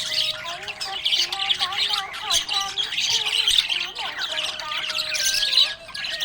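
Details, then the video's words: Happy budgerigar chirping, a dense run of scratchy, warbling chatter with quick squeaks and buzzy notes, unbroken for the whole stretch, with faint steady tones underneath. "Happy budgie chirping sound"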